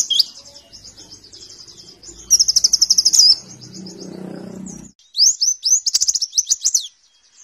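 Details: White-eye tutor song, meant for morning playback at dew time to train caged birds: high, rapid twittering trills in two bursts with a sweeping warbled phrase at the end, separated by a quiet stretch with faint low rumble.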